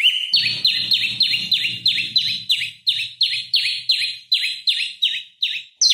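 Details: ;Olive-backed Tailorbird in loud singing form, used as a lure and master song to provoke rival birds and train oriental magpie-robins. High piercing notes repeated steadily about three times a second, each dropping slightly, with a faint low hum early on.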